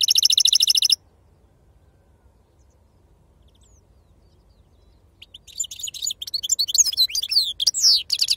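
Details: European goldfinch with authentic wild khalwi sarfati song: a brief fast metallic trill, a long silence, then building rapid twittering and downslurred chirps growing louder toward the end.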